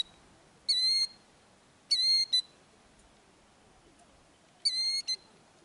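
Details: Killdeer guarding eggs at a ground nest in Kananaskis, Alberta, Canada, during an injury-feigning distraction act; three separated bursts, each a shrill, sustained piercing note followed by a short clipped note.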